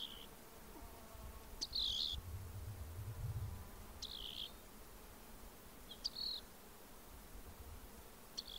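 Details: Rock wren (Salpinctes obsoletus), western North America, repeating brief buzzy trilled phrases roughly every two seconds, each phrase slightly different in shape, with low background rumble early on.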